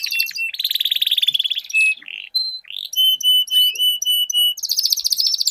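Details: Canaries singing a duel with long rolls. Fast buzzy rolls frame a run of long, pure, steady whistled tones held about half a second each, then a return to rapid trilling.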